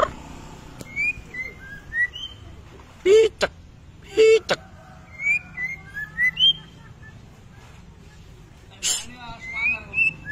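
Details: White-rumped shama kretetan-style song used as a training lure: short clear whistled notes stepping upward in small groups, repeated several times, interrupted by loud broadband knocking bursts.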